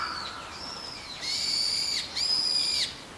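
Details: Brown-eared bulbuls in a migratory January flock feeding on Ilex rotunda berries in a garden, said to come from Siberia. Softer slurred notes lead into two loud, harsh, level screeches, each lasting under a second.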